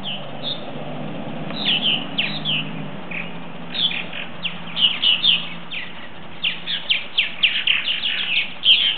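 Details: Purple martins settling in for the night, around ten birds: quiet start, then increasingly dense overlapping chirps and gurgling chatter, bursts bunching together toward the end, with steady low hum beneath.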